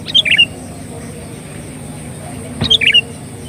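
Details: Bulbul lure song of the sooty-headed bulbul: two bubbly, slurred phrases of several notes about two and a half seconds apart, over steady low background noise.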